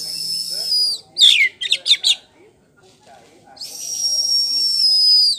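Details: A champion caged Oriental magpie-robin (poci type) sings in ngeplong style: a long, steady, high whistle, then a burst of rapid sharp chirps and trills, before another long drawn-out whistle.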